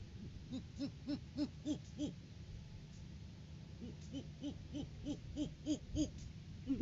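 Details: Great horned owls at their nest tree during courting season, 9 January 2023, filmed on a live cam: rapid runs of short, low, arched hoots, about three to four a second, in two bursts separated by a brief pause.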